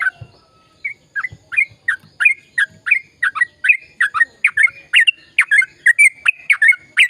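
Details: Sooty-headed bulbul with lively, long rapid-fire song to encourage silent birds to sing: a quiet start, then a quickening run of bubbly, chirping whistles that becomes a dense, continuous chatter.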